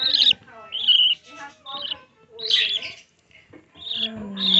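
Young budgerigars give raspy, harmonic chirps in short bursts, with faint voices and music beneath.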